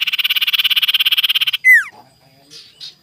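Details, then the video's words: Sirtu singing in the morning, a lure recording to provoke rivals: a long, rapid train of bright repeated notes for about a second and a half, then one loud falling whistle and a few faint chirps. "PANCINGAN SIRTU GACOR DI PAGI HARI EMOSI CARI LAWAN"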